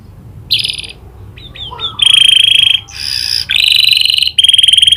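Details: Canary tutored on prinia clicks: a brief high burst, three quick upslurred chips, then alternating steady whistled trills and dense buzzy rattles.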